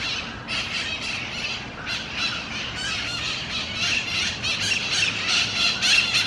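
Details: Mitred parakeets feeding on seeds in a Miami-Dade County park, Florida, in December 2016; rapid, grating screeches and squeals repeated several times a second, growing louder toward the end, over steady background noise.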